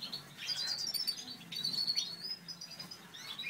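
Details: Soft, faint warbling from breeding satinet canaries, a natural/satinet male paired with a satinet hen, with quick high slurred notes and twitters against steady background noise.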